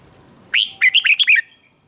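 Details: Red-whiskered bulbul in contest singing, played to stir other bulbuls to sing: one quick phrase of five or six bright, warbled notes, rising and falling, with a clear first note and a rapid rolling run after a short gap.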